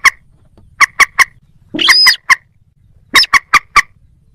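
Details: Moorhen, with a little crake possibly also calling: clusters of sharp clucks on either side of a drawn-out, nasal, rising squeal, then a final run of four quick clucks.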